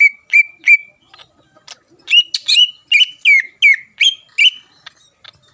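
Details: Greater green leafbird singing to provoke opposing leafbirds: clear whistled notes repeated about every third of a second, then a run of loud looping whistles with sharp upward flicks, ending in faint chips.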